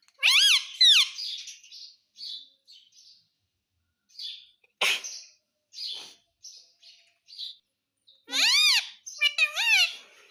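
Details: Pet ringneck parrot imitating "mummy": loud harmonic calls with bowed contours open and close the stretch, while soft scratchy high murmurs and a sharp click-like burst fill the middle.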